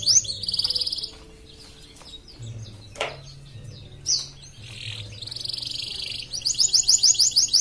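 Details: Caged canary from Pontianak, West Kalimantan, Indonesia, singing in an online songbird competition: bursts of high buzzy notes and rapid chirps separated by short pauses, ending in a fast, even trill of clicking notes.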